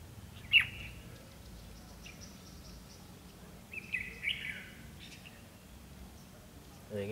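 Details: Red-whiskered bulbul singing a fighting song near a decoy bird during trapping in Vietnam, February 2016; a sharp whistled note followed by a pause, then a pair of warbled, descending phrases over quiet background noise.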